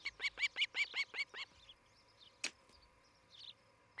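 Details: Osprey at a Montana nest near Charlo, morning of 11 July 2018, on a camera: a short burst of seven rapid whistled chirps, then a sharp click and scattered faint sounds.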